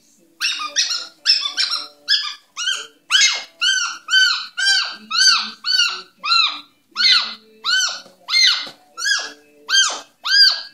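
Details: A newly rehomed pet Moluccan cockatoo, playing and clowning, gives a long run of harsh, nasal squawks, each arched and rich in harmonics, about every half second to second.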